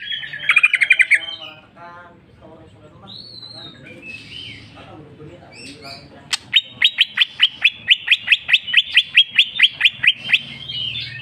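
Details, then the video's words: Greater green leafbird in jamtrok style, showing its full song fill: loud rich chattering phrases open, then assorted chirps and whistles, and from midway a long rapid train of repeated sharp, high notes. "cucak ijo mewah ful jamtrok bongkar isian"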